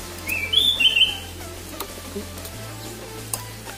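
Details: A captive Orange-headed thrush, set out in morning sunlight, gives a quick burst of bright, whistled warbling notes in the first second, then falls quiet over a steady low mechanical hum.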